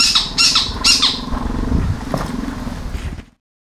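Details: Spotted owlets in Ahmedabad, Gujarat, give their screeching call: three harsh, high screeches in quick succession, followed by softer chattering over a low rumbling background.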